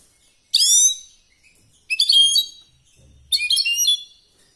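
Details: European goldfinch competition song in three short, separate bursts of bright, high chirping twitter, each about a second long and spaced roughly a second and a half apart.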